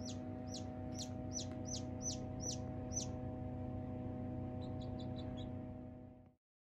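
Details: Newly hatched Silkie chicks venturing outdoors for the first time, among 24 chicks kept with 4 hens: a clear run of loud, high, downslurred peeps about three per second, then fainter distant cheeps over a constant low hum before the sound cuts out.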